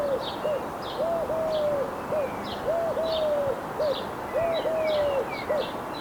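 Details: Eurasian collared dove, recorded in the wild, repeating a gentle three-part coo, short, long and falling, then short, four times in six seconds, while small birds chirp faintly at higher pitch.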